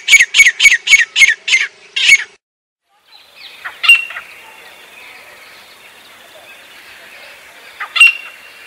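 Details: Grey francolin from Pakistan: a quick burst of about seven loud, shrill, clipped notes, then a pause and a few fainter, more distant single notes over a quiet background.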